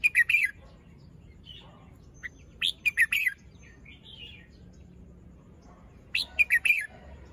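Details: Fluffed-up young caged red-whiskered bulbul, molt and crest still incomplete, sings its morning song style: repeated bursts of quick, bright chattering notes, with softer twittering between the phrases.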